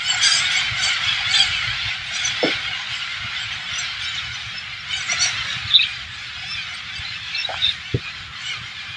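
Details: Massed Alexandrine parakeets, hundreds of birds invading an organic farm in rural Thailand, keep up a steady, hissing blanket of squawks and chatter, with a few louder screeches scattered through it.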